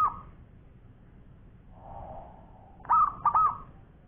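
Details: Zebra dove of a local strain, a champion-grade bird with a long song: a faint low hum, then a short burst of two or three bright rolling coos, the last notes trembling, over quiet background hiss.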